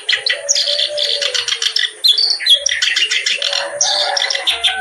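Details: Reed warbler (kerak basi) in full, lively song: dense bursts of harsh, chattering, scratchy notes, fast and continuous, with a few clear whistled phrases between them and a faint steady high tone behind.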